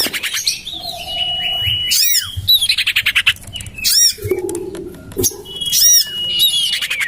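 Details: Common iora lure sound tried out in a garden next to a home: a long flat whistle with quick falling notes, amid busy rattling chatter, squeaky chirps and low warbling from other birds.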